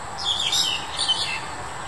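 Black-collared Starling giving a quick run of harsh, squeaky, scratchy notes over about one second, against a faint steady background hiss.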